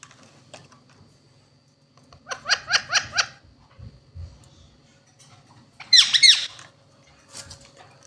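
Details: Indian ringneck parakeets, a talking pair: a rapid run of five or six evenly spaced clipped syllables, a quiet stretch, then one harsh, louder speech-like phrase and a faint final note.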